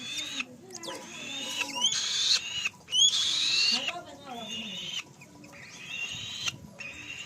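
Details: Black-shouldered kite chick with drawn-out, wheezy high screams broken by short gaps, the loudest around the middle, over a quiet background of human voices.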